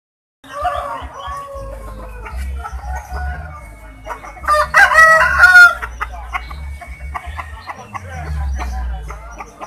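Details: Large, sturdy rooster at Pasar Gawok market in Sukoharjo with an unusual, rare crow said to sound like calling the name Jokowi. Its strained, warbling crow rises in the middle amid clucks, market bustle and low hum.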